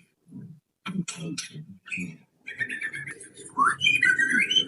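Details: White-rumped shama (murai batu), pastol-style lure song meant to make birds sing and get fired up: scattered short notes at first, then rising whistled phrases and warbles over a steady low hum and background music.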